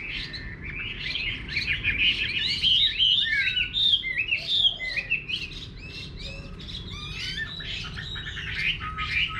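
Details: Hwamei song heard at a rural home garden in Vietnam, a fast, continuous run of bright whistles, slurred notes and buzzy trills, loudest in the middle and tapering toward the end.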